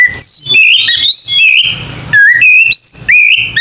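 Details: White-rumped shama phrases used to coax young captive birds into singing: loud, clear whistled notes, wavering and sliding between high and mid pitch, delivered in short bursts with a brief noisy gap in the middle.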